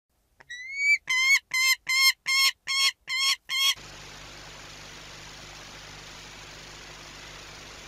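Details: A saker falcon at a nest at Orlen, Płock, gives a quick run of eight harsh, nasal calls, about three each second; a steady hiss follows once the calling stops.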